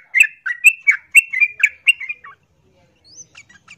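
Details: Female yellow-vented bulbul in breeding condition calling to a male: a rapid run of about eight bubbly chirps over two seconds, then quiet with a few faint thin high notes.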